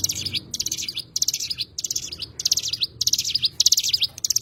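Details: Oriental white-eye, known locally as cigun, giving high-pitched chattering bursts of fast, slurred notes, separated by brief gaps and repeated regularly.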